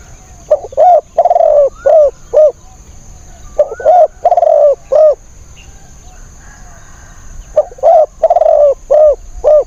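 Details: Spotted dove used as a decoy to lure wild birds, repeating its husky cooing phrase three times, each a run of four to five notes with long and short coos mixed, separated by pauses.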